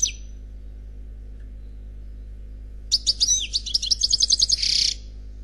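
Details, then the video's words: Khalwi-style song of an unpaired European goldfinch: a lone high chirp, a quiet pause, then a two-second burst of fast metallic twitters ending in a buzzy trill. "Chant Chardonneret Khalwi Célebataire"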